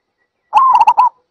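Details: Zebra dove making one brief phrase: a drawn-out, slightly rising coo that breaks into three or four rapid staccato coos, in quiet surroundings.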